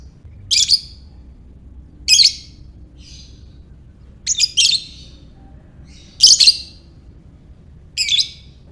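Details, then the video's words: Lovebird ngekek, used to get other lovebirds singing: a run of six high, scratchy chirp bursts, some stuttered doubles, plus one faint short call, spread over about eight seconds. "Buat Mancing Lovebird Bagus Ini | Lovebird Ngekek"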